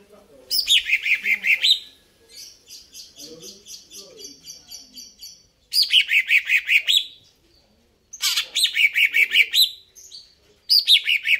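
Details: Greater green leafbird singing energetically: repeated phrases of rapid, slurred, dropping chirps, with a softer chattering stretch between them and faint low background sounds.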